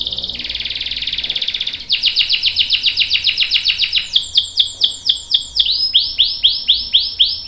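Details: Canary giving a long roll to prompt other canaries to sing: a dense buzzing trill, then fast repeated sweeping notes that gradually slow into well-spaced whistled swoops.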